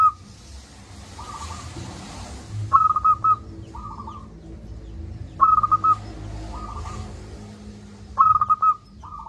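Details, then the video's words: Local zebra dove, lively and loud-voiced, used as a training recording for doves that are reluctant to sing: three phrases, each a stuttering cooed burst followed by a softer rolling coo, roughly every two and a half seconds, over a low background hum. "Perkutut lokal gacor suara besar - Masteran Ampuh Mengatasi perkutut Malas bunyi."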